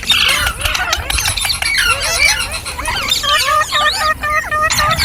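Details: Ringneck parrot talking and singing: a dense run of bending, whistled notes and squawky slurs, some falling, some looping, in quick succession over soft low rumble.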